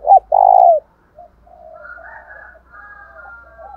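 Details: Spotted dove used as a decoy, giving a fighting coo meant to make kept doves answer: two short hoarse notes then a longer loud coo, followed by softer, quieter cooing from other doves.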